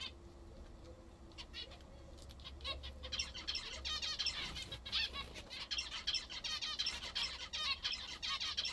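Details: Several pet zebra finches kept at home call while eating their favourite food: overlapping nasal chirps build after a few quiet seconds and continue steadily, mixed with wing flutters and clicking sounds.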